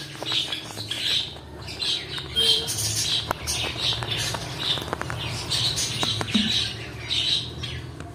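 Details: Pet cockatiels chirping repeatedly in shrill bursts, mixed with sharp clicking and tapping noises throughout.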